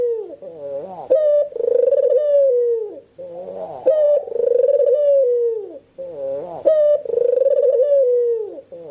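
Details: Barbary dove calling as a lure for other birds: three loud rolling coos, each a sharp rising note then a long wavering, falling croon lasting about two seconds, repeated at a steady pace in a small room.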